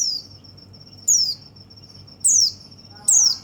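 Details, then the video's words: White-eye song used to stimulate other white-eyes: three loud, very high notes, each a rapid downward slur, spaced about a second apart, over a steady thin high whine. "perangsang semua burung pleci"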